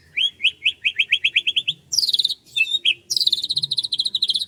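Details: Morning birdsong over rice fields: a run of quick rising whistled notes repeated in a steady series, then denser high chattering trills and twittering phrases.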